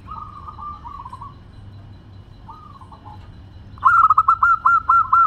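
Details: Local zebra dove (perkutut) with a 'crystal voice': two soft, drawn-out rolling coos with gaps between them, then a sudden loud run of about eight sharp, evenly spaced staccato coo notes.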